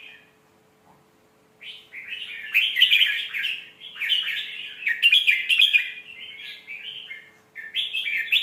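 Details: Red-whiskered bulbul in a refined phrasing style played to teach young birds: after a near-silent start, an extended run of loud, rich, slurred warbling with bright accents, briefly pausing before a final phrase.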